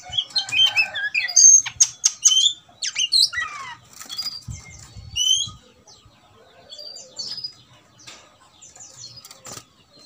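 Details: Agitated Oriental magpie-robin, ready to fight and restless, opens with a dense burst of sharp whistles and slurred chips. Scattered squeaky notes and short twitters follow, thinning out toward the end, with soft rustling between.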